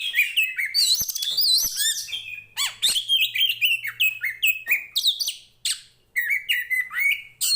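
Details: Oriental magpie-robin singing in the aggressive style used to train contest birds: a busy run of clear whistles, downslurred notes and trills, loud and continuous, breaking into short separated phrases near the end.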